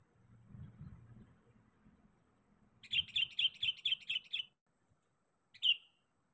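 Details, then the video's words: Sooty-headed bulbul calling to challenge a rival, as bait for trapping: a fast run of seven bright, evenly spaced chirps, a pause, then one more clear note, with a faint low murmur before and a steady high whine throughout. "Panggilan KUTILANG PIKAT GACOR. Mencari Lawan."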